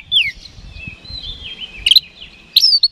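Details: Oriental magpie-robin (kacer) singing as a lure to spur rival birds; a loud descending whistle, soft warbling underneath, then two bursts of sharp chipping notes near the end.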